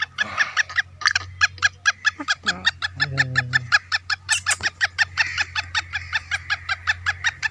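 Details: Caged black francolin calling in an orchard soon after a dust bath, on a clear afternoon around 2:30: a fast run of harsh, clipped notes repeated nearly three times a second, with a low steady hum underneath.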